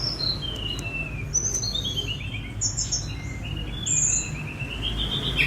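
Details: Spotted Sunda robin (tledekan gunung) singing while let out free, captured on a phone for mastering; a string of high pure whistles and quick descending note cascades, irregularly spaced, with a low noisy background.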